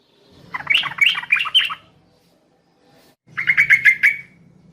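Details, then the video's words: At night, a female yellow-vented bulbul reportedly calls to the male with a bubbly, warbled phrase of jumbled notes. After a short pause comes a tighter run of five or six chirps, with a soft low hum underneath. "PANCINGAN TRUCUKAN ROPEL PANJANG SEKETIKA LANGSUNG NYAUT masteran burung trucukan malam hari"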